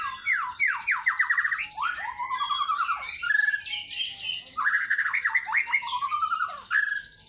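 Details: White-rumped shama singing hard in fighter style, running through its learned phrases: loud rattling trills, harsh buzzy notes and falling whistles in rapid succession, close and clear against a quiet background.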